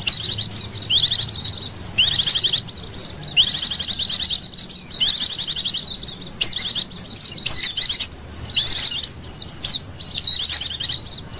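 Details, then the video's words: Oriental white-eye lure calls: continuous high twittering with dense trilled bursts and scattered slurred notes, almost without pause over several seconds. "SUARA PIKT BURUNG PLECI PALING AMPUH"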